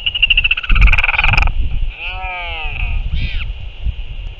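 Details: Northern royal albatross at the nest on 6 April 2024, a parent back and feeding its chick; a burst of rough, harsh noise gives way to a long, wavering, harmonic-rich call, then a short arched note, over steady high hiss and low wind rumble.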